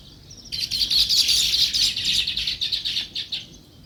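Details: Sparrows, described as weaver birds, burst into a quick, loud volley of high, scratchy chirps that pulse rapidly for about three seconds and then fade out.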